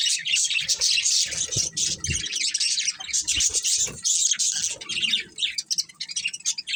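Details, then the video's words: Breeding pair of budgerigars giving almost continuous high, scratchy warbling chirps, dense and busy throughout, with a few soft low knocks in the background. "Cute Budgies Chirping Sounds | Love Birds Breeding Pair"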